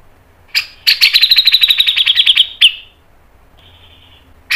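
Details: Grey-cheeked bulbul, known locally as cucak jenggot, singing one fast phrase of about fourteen sharp, close-set notes over two seconds, then a pause and a brief harsh burst.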